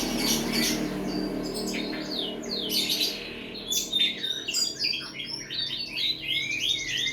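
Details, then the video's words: Various birds used as masteran tutor song for training cage birds: dense overlapping high chirps, trills and short whistled notes, busy and irregular throughout, over a low steady hum. "Berbagai suara burung masteran"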